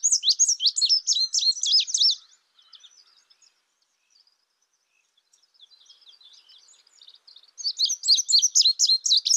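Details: Indigo bunting singing: a high, fast phrase of sharp slurred notes, a quiet gap with faint twittering, then a second bright burst of paired, rapidly repeated notes.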